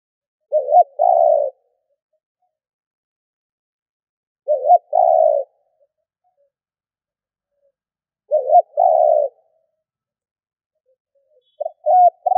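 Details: Lure spotted dove calling to rouse wild doves. Its two-part phrase, a clipped double coo and then a fuller low note, repeats about every four seconds across four phrases, with nothing else heard.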